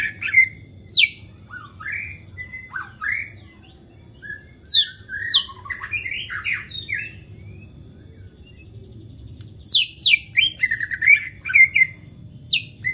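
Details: Agitated white-rumped shama singing to provoke other shamas: scattered sharp sweeping whistles and chips, more sparse mid-clip, then a dense cluster of high rapid notes near the end; constant low background rumble.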